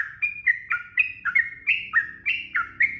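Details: Sooty-headed bulbul, a busy 'gacor' singer: short rounded whistled phrases, each note slurring down then jumping back up, repeated roughly three times a second, with a faint low hum underneath.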